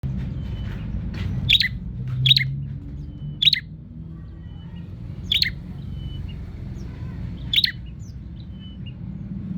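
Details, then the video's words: Bar-winged prinia calling while seeking a rival: five sharp, high chirps spaced one to two seconds apart, set over a steady low rumble of background noise. "suara burung prenjak nyari lawan"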